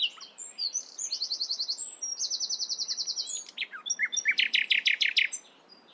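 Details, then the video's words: Nightingale singing in the morning: two fast, buzzy trilled phrases at a high pitch, followed by loud, rapid, rattling strokes delivered in an accelerating burst. "Nightingale Singing In The Morning"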